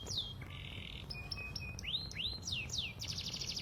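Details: Pied 'panda' canary giving lure song for young birds: a falling whistle, buzzy level trills broken by short notes, then looping arched whistles and a fast high trill at the end, with a low background hum.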